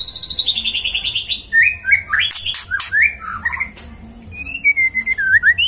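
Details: Magpie-robin in full song, a rich run of loud whistled phrases: a long slurred descending whistle opening, then sharp chirps, rising and falling whistles and high trilled notes, with brief gaps between bursts.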